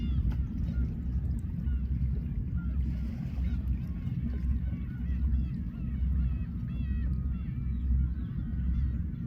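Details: Many Black-tailed Gulls calling at a fishing port in Imabetsu, Aomori, Japan: overlapping arched, cat-like mewing cries repeated about once a second above constant low surf noise.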